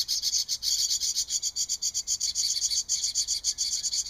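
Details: Baby wrens begging from hunger, recorded on 13 June 2011. A continuous, fast, high-pitched chatter of shrill chirps pours out at about four notes per second with hardly a break.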